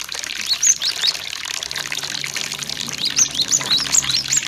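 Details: Cinereous tit song used as a lure to prompt captive birds to sing: bursts of thin, high chirps and short slurred whistles, some rising, repeated through the stretch over a steady hiss of flowing water.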